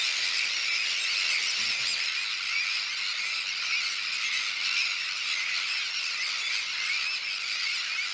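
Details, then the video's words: Breeding Sandwich tern colony on a shell bank, with adults brooding and feeding chicks of various ages with fish. An unbroken chorus of high, rasping calls from many terns, with a faint low thump near the start. "Grote stern kolonie"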